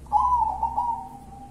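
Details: Zebra dove from local wild stock, song called kuntilanak, giving one short, clear coo that starts loud with slight wavering and slowly fades while holding an even pitch.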